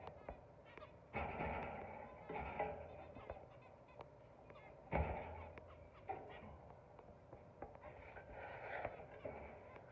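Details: Zebra finch giving nasal, honking calls in irregular bursts, several close together, with quieter stretches of soft background chatter between them.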